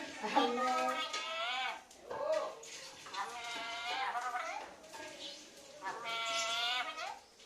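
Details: Talking parrot kept indoors, giving three drawn-out, nasal, speech-like phrases about two seconds apart. Each is richly harmonic, slightly wavering, and falls away at the end, with short murmured syllables between.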